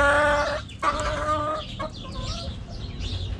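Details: Backyard coop chickens give two loud, drawn-out, nasal harmonic clucks, each about half a second, then softer broken notes. Small wild birds twitter faintly in the background.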